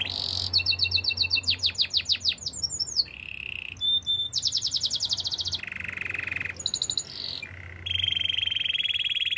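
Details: Canary song used for training: a sequence of contrasting tours, with fast rattling trills, low buzzy rolls, pure high notes and bright pulsed phrases following one another without pause.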